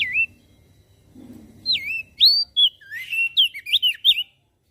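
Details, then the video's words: Javan grey-throated white-eye in full song, said to provoke other birds into singing along: after a lone opening note, a quickening run of looping, bright whistles with upward and downward slides, about a dozen notes packed together. "Opior Jambul Gacor Suaranya Memancing emosi Langsung Burung Lain Ikut Bunyi"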